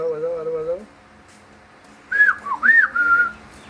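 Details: A talking pet Common hill myna (Gracula religiosa), said to be an original hill bird from Chittagong, gives a short, wavering voice-like phrase of mimicked speech, then after a pause a run of clear, looping whistles rising and falling.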